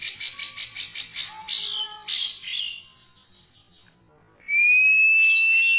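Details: Oriental magpie-robin singing rich, varied song material: three seconds of dense buzzy, rattling high phrases, a pause, then a long pure whistle rising slightly and held steady.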